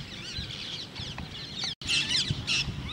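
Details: Common mynas (Acridotheres tristis) chatter in a dense run of harsh squawks and short whistled, sliding notes, briefly cut off mid-stream, over a low background rumble.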